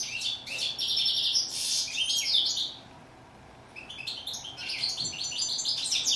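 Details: Goldfinch (Moroccan steyla) in rapid twittering song, two bursts of high chirps, slurred whistles and buzzy notes separated by a second of quiet near the middle.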